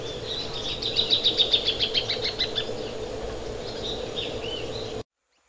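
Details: Plain thornbird song: a quick series of about ten loud, chattering notes that drop gently in pitch, followed by softer scattered notes over a steady low background hum before the sound cuts out.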